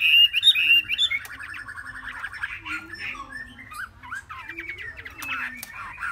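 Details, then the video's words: Young Chinese hwamei, three months old, opening with a fast series of bright repeated whistled notes, then breaking into softer, scattered chirps and rasping fragments. "họa mi mcb2060 - 3 tháng tố chất"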